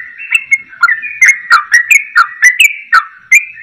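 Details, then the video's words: Yellow-vented bulbul singing vigorously, a rapid song copying the voice of the straw-headed bulbul: loud whistled phrases that slide up and down, broken by sharp clicks about once or twice a second. "Trucukan Gacor Ropel Suara Cucak Rowo"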